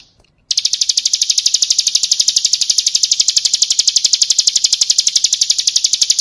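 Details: Bar-winged prinia, the crystal type, a full-content master song for training other songbirds: a fast, very regular high buzzy trill of rapid repeated notes, about four per second, running steadily without pause after a brief quiet start.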